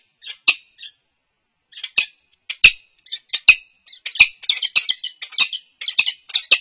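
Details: Resident peregrine falcon pair at UC Berkeley, on a livestream nest camera, 4 March 2022, during head bowing and nest scrape courtship: harsh, grating chips in bursts, separated by short silences, then a fast run of rasping notes toward the end.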